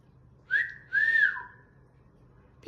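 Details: Green pet Indian ringneck parakeet whistling indoors: a short clear note, then a longer, smooth, slightly arching whistle that dips lower at the end, between spoken words.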